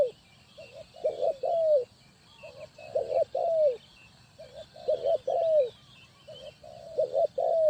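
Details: Trapping-decoy spotted dove, Ninh Thuận, cooing in repeated three-part phrases: quiet short hoots, a doubled clipped note, then a louder descending coo, with thin twittering of other birds in the background.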